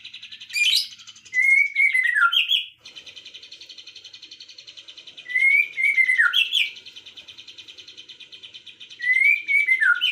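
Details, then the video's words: Birdsong in the afternoon: loud bursts of whistled notes that fall in pitch arrive about every four seconds, set over a continuous high, rapid trilling chatter. "kicauan sore hari relaxing Bird sounds"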